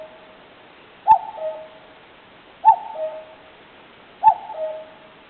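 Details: Wild common cuckoo in a woodland of wild birds, captured with a digital camera, repeating its two-note cuck-oo three times at a steady pace of about one every 1.6 seconds. Each call is a bright first note falling to a softer, lower one.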